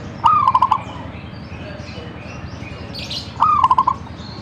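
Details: Zebra dove in full song: two identical cooing phrases about three seconds apart, each a rising lead note then a fast string of five pulsed coos, with quiet background hiss.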